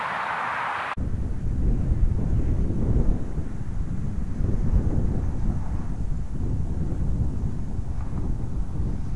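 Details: A steady low rumble of wind or distant engine noise with no animal calls.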